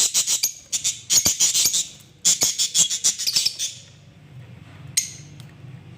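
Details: Lovebirds in extreme, noisy chatter, a dense burst of harsh, high, rattling chirps packed several per second for about four seconds, then a quieter pause and a final shrill call. A steady low hum runs beneath.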